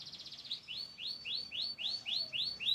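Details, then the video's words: White crested canary song: a brief rapid trill, then a series of rising, arched whistled notes repeated at a steady pace about three times a second. "white crusted canary nice singing"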